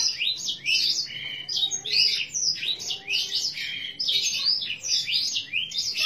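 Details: Green canary singing a varied song of sharp high rising and falling whistled notes and chirps, delivered in quick runs with brief pauses.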